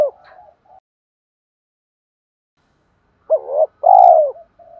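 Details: Spotted dove lure call used to draw in other doves: one short coo phrase near the start, then after a long silence a two-part coo ending in a long, loud, falling note, with soft murmured notes between.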